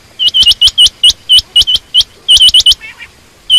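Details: Loud, rapid series of clipped upward-sweeping chirps from a female quail, nearly a dozen in quick succession, then a brief gap and one final note.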